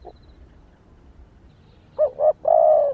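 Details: Female spotted dove calling to excite males. A faint early note, then two short rising coos and a sustained level coo near the end. There is soft background hiss.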